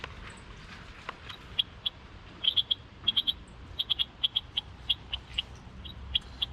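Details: Bushtits, thought to be calling back and forth to each other, give short, high, thin tsit notes in quick clusters of two or three, repeated irregularly over a soft hiss.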